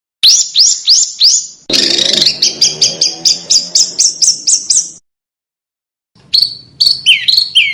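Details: Small bird song used as master material for cage birds, sharp 'tembakan' phrasing: a few high downslurred whistles, then a fast string of rising chips about four per second, a silent gap, and a burst of twisting notes.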